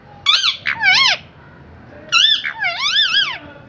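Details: Parrot vocalizing indoors: two groups of clear, wavering whistled notes that swoop up and down, the second group longer with several rising and falling bends.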